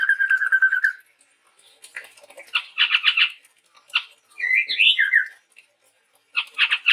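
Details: Male chestnut-rumped babbler of the Sumatran forest starting with a steady trilled whistle, followed by harsh chattering bursts and a warbled series of upslurred whistles, then more chatter.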